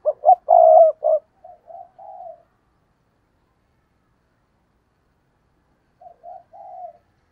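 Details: Spotted dove used as a decoy on a tree, cooing to lure wild doves. A loud phrase of two short notes, a long hoot and a clipped coo, then soft triple coos, repeated after a pause of several seconds.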